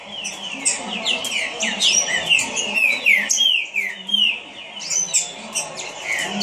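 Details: Quick song of a captive green-winged saltator: dense bursts of rich descending whistles, interwoven with high, thin twitters from neighbouring birds over a faint low hum.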